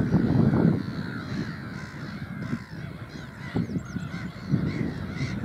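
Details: Noisy black-headed gulls on Burwell Fen, Cambridgeshire, UK, 15 April 2015; scattered rasping cries and a few short, bent high notes over steady wind buffeting, with a loud low thump at the start.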